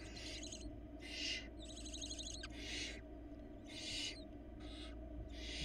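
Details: Four hungry barn owl chicks in a Florida nest cam box beg while being fed a rabbit by their mother; repeated harsh hissing screeches, each about half a second, coming roughly every second over a constant low hum.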